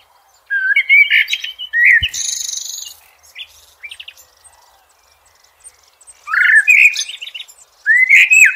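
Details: Blackbird in nature giving mellow fluted phrases, each closing with thin high squeaks. A brief noisy high burst comes between them, then two more warbling phrases follow.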